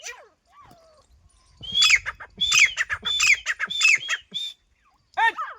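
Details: Grey francolin (desi teetar) while fighting: a run of shrill, rasping notes repeated rapidly for about three seconds, preceded and followed by a man's shouted calls.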